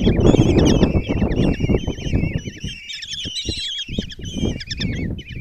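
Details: Five common kestrel chicks in a nest box at Tiszalök, Hungary, on the morning of 26 June 2024, give high, wavering, trilled begging calls that overlap continuously as the mother brings food. Heavy low thumps and rustling sound underneath.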